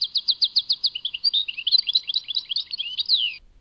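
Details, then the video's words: European goldfinch song linked to Tadmait: fast series of bright repeated notes, then a twittering jumble of rising and falling whistles and trills, high-pitched and continuous for over three seconds, no other sounds. "Chant chardonneret Tadmait"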